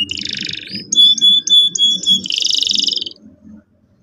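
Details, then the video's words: Canary in full song, used to coax young canaries into rolling: a buzzy grating roll, a run of bright whistled notes, then a long pulsing churr fading out, above a low murmuring background. "PANCINGAN BURUNG KENARI GACOR EFISIEN AGAR PAUD CEPAT NGEROL TAJAM & PECAH SUARA"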